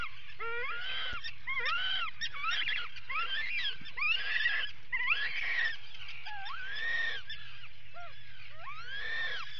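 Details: Atlantic puffins during an attack at their burrow, 19 July 2019, live camera: many overlapping rising-and-falling moans, busy and uneven, over a low constant rumble.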